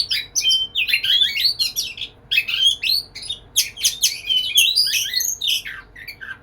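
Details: Caged white-rumped shama serenading a female with a continuous, energetic medley of rapid chirps, squeaks and bright whistled slurs, notes tumbling about three or four each second.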